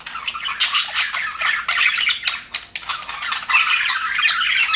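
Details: Aviary budgerigars, described as happy, keep up fast scratchy chirping and warbling, with sharp clicks and squeaky bursts that swell and fade in waves.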